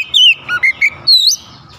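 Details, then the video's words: Oriental magpie-robin singing: clear, sharp whistled phrases, a falling slurred note, several short rising and dipping whistles, then a high rising upslurred whistle, all in under two seconds. "KICAUAN KACER BUKA PARUH LEBAR TEMBAKAN PEDAS"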